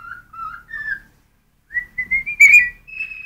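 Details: Whistled song of a cockatiel that sings when hungry: a few lower notes, a short pause, then a rising series of clear whistles ending on a high held tone.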